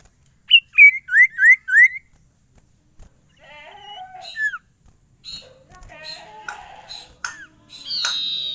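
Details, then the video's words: Sirtu (Sunda pied fantail), a caged bird singing actively, its song in the local style called cipow: a quick series of five sharp, downslurred whistled notes, then quieter twittering phrases and scattered chips with faint background sounds. "SIRTU GACOR ANTI STRES !! FULL VARIASI SUARA CIPOW GACOR DOR"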